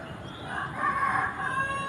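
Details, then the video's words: Rooster crowing on an early morning in a residential subdivision in Iloilo City, Philippines, with a drawn-out, hoarse, harmonic crow rising out of background noise. "All you would hear is the roosters' voice & dogs' barking , on an early morning in our subdivision."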